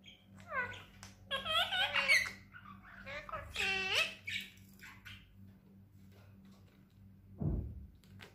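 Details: Tame pet parrot talking like a human indoors: a few short, harsh, voice-like phrases with rising and falling sweeps, then a long quiet stretch and one brief low thump.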